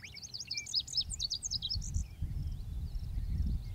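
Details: Male lazuli bunting singing a fast run of varied high, sharp syllables, slurred up and down, over about two seconds, then quieter scattered notes; steady low rumble of background noise throughout.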